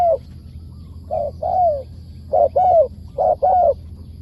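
Spotted dove cooing in mellow paired notes, a short coo then a longer falling one, about once a second, over a low steady hum.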